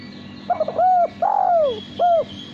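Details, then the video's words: A male spotted dove, kept for its melodious contest song, coos once through: soft stutter notes, a short coo, a long gently falling coo and a brief final coo, with steady hum behind. "Derkuku Suara Bersih"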